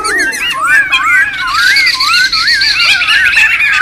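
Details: Laughingthrushes calling noisily in the wild, a recording for luring and tutoring birds: clear looping whistles rise and fall in wavy phrases above a steady chattering chorus.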